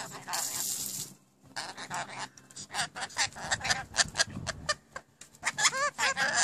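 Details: Newly acquired pet rainbow lorikeets talking in mimicked human phrases about dinner and cooking, a rapid stream of harsh, speech-like syllables with a loud raspy screech at the start and bright whistled inflections near the end.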